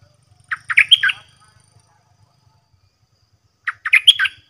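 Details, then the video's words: Caged Red-whiskered bulbul singing against bold wild birds that come in to fight; two short bursts of rich, warbled, whistled notes a few seconds apart, with faint low rumbling between. "เสียงต่อนกกรงดอกแตงEp.124 จ้าวขันเงินสับดอกกระจาย นกป่าใจมากไม่กลัวเลย!!"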